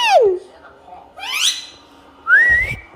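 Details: Talkative Indian ringneck parakeet indoors giving three clear whistled notes: a falling slur, a quick rising sweep, then a long rising whistle that levels off, with short pauses between.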